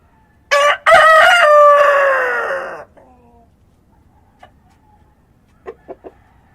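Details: A rooster crows at dawn in rural surroundings: one complete crow with a short lead-in and a long gradually falling note, followed by quiet ambience and a few brief soft clucks.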